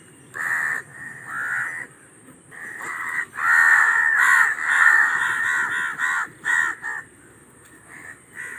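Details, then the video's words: Raven calling in fast strings of rough, nasal caws, bunched into rapid bursts of several notes with short pauses. "SONIDOS de CUERVOS 🗯 12 Voces diferentes"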